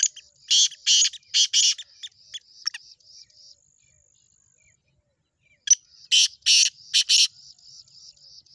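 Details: Black francolin, locally called chakri wali tettar, giving harsh, grating bursts in quick runs of four or five notes, then a pause before another run, over a steady thin high buzz.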